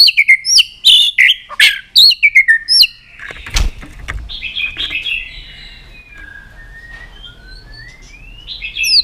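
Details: White-rumped shama singing with tail-flicking, meant to spur other shamas to sing in competition; rich slurred whistles and sharp chips open, then softer, thinner phrases follow after a brief thump.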